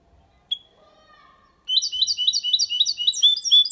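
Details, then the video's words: Goldfinch × canary hybrid singing a clean, faultless song in the Málaga copy style, used to stimulate females and tutor young birds; faint thin tones open, then a loud fast run of high twittering, buzzy notes from about halfway through. "Mixto de Jilguero Cantando Limpio sin errores (copia malaga) Hybrid de Chardonneret chantant propre"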